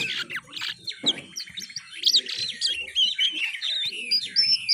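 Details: Young oriental magpie-robin practising its twittering ngiriwik song: rapid, high, squeaky chirps and short whistled slurs run together in a busy, uneven stream, with faint lower chatter and knocks beneath.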